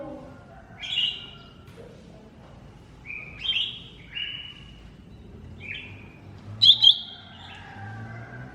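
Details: Green leafbird (cucak ijo mini) masteran song: a series of short, clear whistled phrases, some upslurred, spaced a second or two apart, ending with sharp double notes; low hum beneath.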